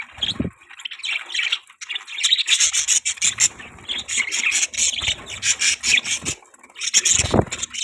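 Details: Budgerigar chirping sounds: continuous raspy, warbling chatter mixed with sharp squawks, rising and falling in loudness, with a few low knocks or rubbing noises at the start and near the end.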